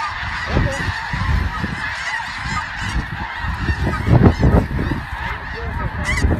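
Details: Snow geese honking in an irregular, overlapping chorus, growing busier and louder toward the last two seconds, with continuous broadband background noise.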